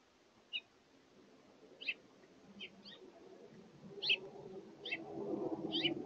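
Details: House finches feeding at a seed feeder, with a series of seven scattered high chirps over six seconds while a low rumbling background noise gradually builds.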